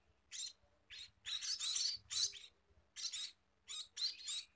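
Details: Scaly-breasted munia singing: short, noisy, hissing bursts high in pitch, some single and some run together, separated by brief pauses, with a faint low hum beneath.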